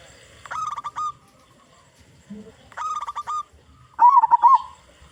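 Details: Loud local zebra dove singing as a lure for other zebra doves, delivering three phrases of clipped staccato coos, the last ending in a quick rolling flourish, with a brief low note between.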